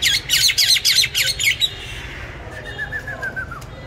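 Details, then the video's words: Songbird in care, bought 19 May 2020, on steady feed and said to sing in any place at any time: a fast burst of harsh, buzzy repeated notes for over a second, then a thin descending whistled series, with low background hum. "Chăm chim đều tay ,cám ổn định hót mọi địa hình ,mọi giờ giấc"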